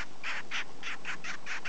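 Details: A pet double-barred (owl) finch, noisy while being stroked after a full meal, gives a rapid run of seven short, harsh, nasal notes, about four or five a second, against a faint low hum.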